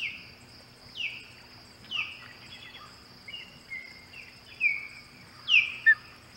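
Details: Ospreys, three birds together at the Hog Island nest on 15 August 2020, giving loud whistled chirps that slide downward, repeated roughly once a second and quickening near the end, over a steady high insect drone.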